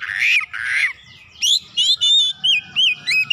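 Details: Oriental magpie-robin (kacer) singing vigorously in gacor style, a lure recording showing off its isian filler phrases: two harsh, buzzy rasping notes, then a run of clear, bright whistled slurs and rising-falling loops repeated in quick succession.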